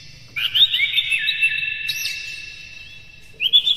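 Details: Oriental magpie-robin song meant to stir other magpie-robins; a drawn-out whistled phrase with small sweeping notes and a high squeal, then a fresh phrase begins.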